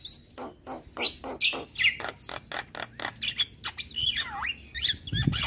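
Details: Asian pied starling singing loudly, said to provoke neighbouring starlings: a rapid run of harsh chirps and clicks with whistled notes, then a long swooping whistle falling and rising, low thump at the end.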